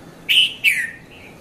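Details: Red-vented bulbul (Konda Kurulla) in the dawn hour, 5:30–5:40 a.m., at Mount Lavinia, Sri Lanka, recorded on a Nikon Coolpix P510: two crisp, ringing notes in quick succession, the second falling, trailing into a soft tail.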